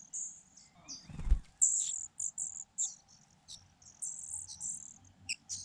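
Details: Begging from four Fujian niltava nestlings in a nest tucked into grass during feeding: rapid high-pitched squeaks and drawn-out thin squeals, irregular and overlapping, with a dull knock early on and a quiet low hum underneath.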